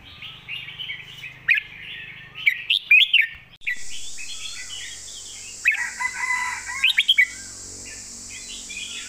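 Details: Golden-phrasing master song of a red-whiskered bulbul: lively, warbled whistled phrases that rise and dip, surrounded by other birds twittering, with a steady high hiss or insect drone from about four seconds on.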